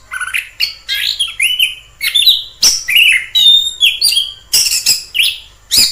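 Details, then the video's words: In the wild, an orange-headed thrush sings a continuous stream of varied whistled phrases, warbled slides and crisp clicks, loud and close with hardly any gaps. "Suara asli anis kembang di alam liar"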